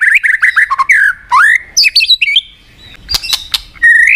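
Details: Murai batu, or white-rumped shama, kept as a caged songbird and used to spur a sluggish bird to fight: rich, varied whistles sliding up and down, quick chattering notes, a brief pause, some sharp clicks, then a rising whistle.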